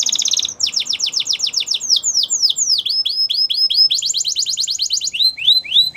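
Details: Canary song for training young canaries: quick trills and runs of downward-slurred notes at varied speeds, over a steady background hiss.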